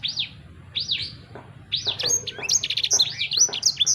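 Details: Sanger bird song, played so that your own sanger bird will sing right away: a few spaced arched whistles at first, building into quick, tangled high chirps and twitters.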